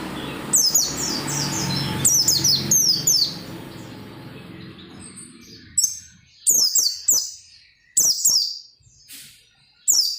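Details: Oriental white-eye in keen, nonstop song to make other white-eyes sing: rapid high twittering phrases of falling slurred notes, first over a low hum, then in clear bursts with near silence between.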